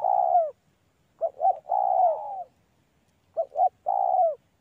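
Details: A clean, close spotted dove call from a mango orchard: two quick clipped coos, then a longer descending coo, repeated twice with brief silences between.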